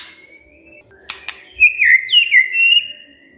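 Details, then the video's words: Agitated white-rumped shama answering after provocation. A long thin steady whistle and two sharp clicks lead into louder twisting whistled phrases that dip and rise, ending in a held note. "tidak nyampe 3 menit murai TERPANCING emosinya, nyaut GACOR"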